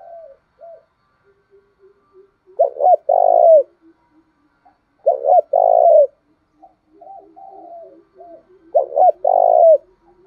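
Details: Decoy spotted dove calling to lure wild ones into answering: three loud coo phrases, short doubled note then long burred coo, separated by soft low murmuring notes and faint clicks.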